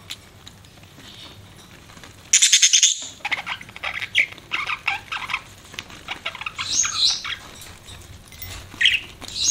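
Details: Pet budgerigar chirping: a loud burst of high chirps, then a busy run of short scratchy notes and squeaks with a few thin whistles near the end.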